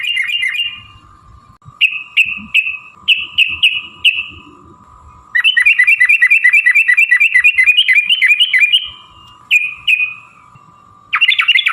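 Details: Long rapid fighting-style song of a sooty-headed bulbul, aimed at provoking other birds to sing. Separate bright chirps give way to an unbroken fast trill of metallic notes lasting several seconds, then short phrases, all over a faint hum.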